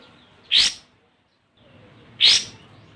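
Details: Olive-winged bulbul giving a rival-challenging lure call: a pair of rasping, noisy bursts spaced roughly 1.7 seconds apart, with a quiet background between them.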